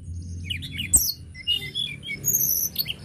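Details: Tledekan gunung lark singing: quick twittering phrases of high sweeping whistles and short buzzy notes packed closely together, a soft low hum in the background.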